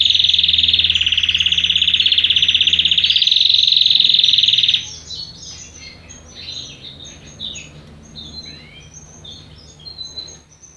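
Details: Juvenile canary of no set breed beginning to sing: a loud, steady rolling trill for about five seconds, followed by quieter scattered chirps and downward-slurred notes.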